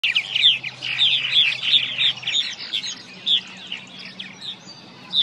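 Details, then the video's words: Several purple martins singing at nest boxes in a colony at Stony Brook Wildlife Sanctuary, Norfolk, Massachusetts: gurgling, chortling chirps, rapid and overlapping at first, then thinning to scattered notes, over a faint low hum early on. "Sing away Purple Martins"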